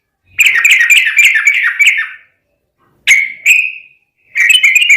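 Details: Chattering fighting song of a yellow-vented bulbul, used to trigger answering song in other birds: a long rippling run of bright notes, two sharp chirps, then another rapid burst.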